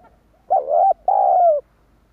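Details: Spotted dove cooing, played to stir up and lure wild doves: two loud, low, hollow coos, the first short and rising, the second longer and level then falling, with a short gap between and silence around them.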